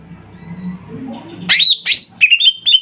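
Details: Greater green leafbird (cucak ijo), Kuningan type and a group of birds, giving a lure song meant to make other leafbirds sing: after a quiet low murmur, bright high whistled notes dropping in pitch, then short repeated whistles.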